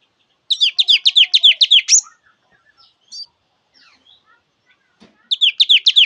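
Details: [2, 'Java sparrow song: a run of about ten fast, evenly spaced high chirps. A pause with faint small calls follows, then a new burst of rapid chirps begins.']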